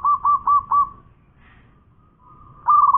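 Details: Actively singing local zebra dove: four clear, rolling coo notes, a short lull with a faint tone, then another burst of fast cooing begins.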